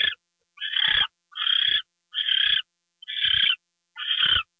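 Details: Owl at a nest during a gopher delivery, February 2, 2013, at 10:43 PM: harsh, breathy hissing screeches about half a second long, repeated roughly every three-quarters of a second with clean silent gaps.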